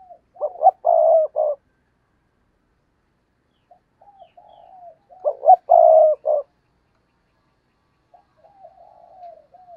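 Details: Cooing of a decoy spotted dove meant to draw in wild doves; loud, gravelly coo bursts repeat about every five seconds, each followed by gentler, wavering, drawn-out coos, with no other sounds.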